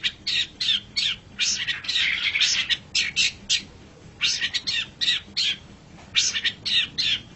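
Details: Master recording of a Long-tailed shrike, locally called pentet or cendet, for songbird training: dense scratchy, chattering phrases in uneven bursts with short gaps between them.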